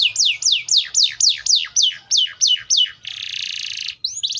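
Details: Atlantic canary song: about ten whistled notes sweeping downward, about four per second, then a one-second buzzy trill and a short rising note at the end.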